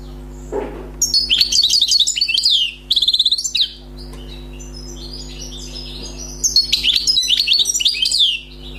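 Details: Newly caught wild European goldfinch sings lively phrases of fast twittering and buzzy trills, pauses for several seconds, then resumes with another rapid jingling run. A brief low thump opens the recording, over a steady hum.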